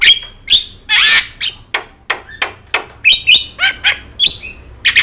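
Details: Javan myna with yellow eyes, in full song, recorded for training other birds: a string of sharp harsh chacks and noisy bursts broken by short high whistles, the notes coming in quick irregular succession.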